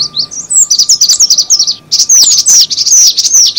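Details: Cinereous tit lure call: rapid high, thin chirps sweeping downward, densely overlapping at about two or three per second, with a short lull near the middle and a faint steady hum underneath.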